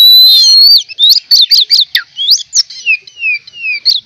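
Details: Oriental magpie-robin lure song said to draw other magpie-robins in: a rich, varied song of quick whistled slurs and sweeps, mostly high-pitched, about three notes a second, with no other sounds.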